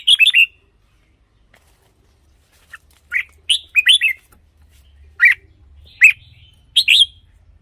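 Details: Red-whiskered bulbul song for decoy use or for playing to rouse caged birds. Short bubbly whistled phrases, rising then falling, come in separate bursts about every second after a brief pause. There is a faint low hum.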